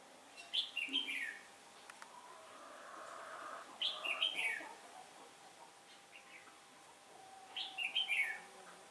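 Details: Red-whiskered bulbul used as a lure bird in trapping, 15 October 2017, singing competitive song; bright warbled phrases repeated about every three to four seconds, with faint chirps between.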